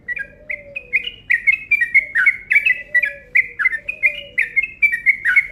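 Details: Lure call of a yellow-vented bulbul in a long rapid 'ropel' sequence: bright chirping notes tumbling out in quick succession, with a soft low tone sliding downward in the background.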